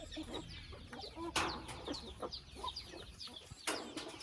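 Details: Chicken family house flock calling, with quick descending high cheeps layered over scattered soft clucks and two brief louder bursts of noise.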